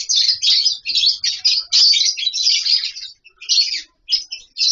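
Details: Lovebirds housed as a colony in an aviary setup send out a dense, continuous stream of piercing, high chirps, thinning into a few spaced squeaks near the close.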